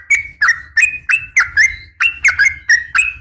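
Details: Yellow-vented bulbul female calling to attract a male, giving quick liquid chirps in pairs and threes, each note a bright whistled slur jumping up and down, with a steady low background rumble.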